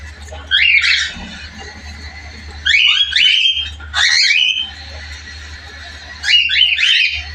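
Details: Two young cockatiels give harsh, rasping squawks in short bursts, a few seconds apart.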